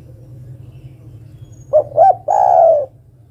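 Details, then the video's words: Spotted dove female calling for a male, one phrase of two quick hooting notes and a sustained, slightly falling coo, with a constant low background rumble. "Suara burung derkuku betina memanggil jantan"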